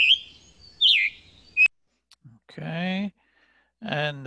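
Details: Scarlet Tanager, a spring migrant in southern Quebec, giving three quick, hoarse, burry whistled phrases at a middling-high pitch, followed by a man's voice naming the bird.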